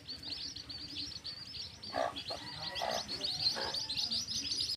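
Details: Quieter scene of chicks in a field: a thin, steady band of high peeping chirps, with a few deeper, fuller clucks around the middle and a rustling low background.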